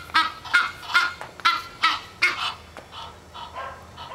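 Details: Hungry female Egyptian goose at the back door early in the morning, loud rapid honks that soften and fade after a couple of seconds.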